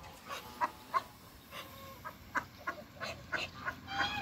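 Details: Muscovy ducks, a pair, in a backyard with other waterbirds, giving short soft calls repeated irregularly about three times a second, each a brief breathy burst, with faint background noise.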